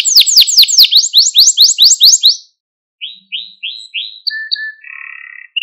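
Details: Malta canary singing for training young canaries: a fast sequence of sweeping high notes, a brief pause, slower rising notes and clear whistles, closing on a low buzzy trill.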